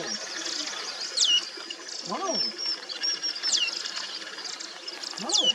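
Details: Manipur Fulvetta, also called Streak-throated Fulvetta, in the Mishmi Hills, Arunachal Pradesh, India, in April 2023. Thin high notes slide sharply downward and repeat about every two seconds. Lower arched notes sound between them over a steady high background hiss.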